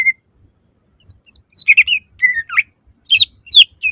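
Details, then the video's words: Loud song of a greater green leafbird used to make other leafbirds sing: after a short opening note and a pause, a burst of twittering, slurred whistles and quick upward-swept notes. "Pancingan suara lantang cucak ijo gacor full nembak langsung cepat buka paruh"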